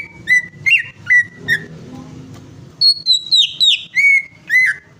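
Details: Greater green leafbird song played to coax a silent bird into singing; clear whistled notes, some sliding, a short halting run, a brief pause, then a quicker descending series of ringing whistles over faint low hum.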